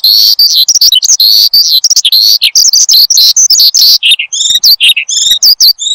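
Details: Caged Horsfield's bushlark singing persistently, recorded to lure and tutor other cage birds. Fast jumbled chirps and buzzy notes give way to clearer, repeated whistled phrases near the end.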